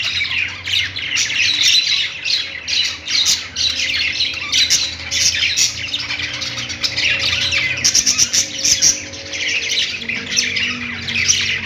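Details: Pet-store budgerigars chatter on their perch for about twelve seconds, a steady stream of scratchy, high chirps and squawky warbles, with a faint low steady tone underneath.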